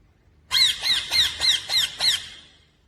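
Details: Green ringneck parakeet giving six harsh, buzzy squawks in a quick even series, each with a bent high tone, repeated about every third of a second, then falling quiet.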